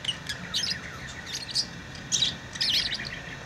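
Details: Tame lovebirds give bursts of shrill, high chirps and raspy squeaks in irregular clusters, over a constant faint hum.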